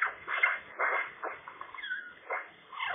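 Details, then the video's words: Late-winter Eurasian magpie at a contested nest, perched beneath a roof in poor weather, giving a quiet babbling song of rapid rasping and squeaky phrases with one short descending whistle. "magpie nest challengers part 3, nice song"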